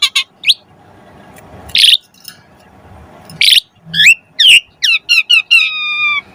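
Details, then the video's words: Asian pied starling singing vigorously, a richly varied lure song used to spur other starlings into song: harsh rasping bursts separated by pauses, then quick rising whistles and a long steady whistled note at the end, over low room hum. "Jalak Suren Gacor Pancingan Burung Jalak Agar Cepat Mompa Gacor Full isian Mewah"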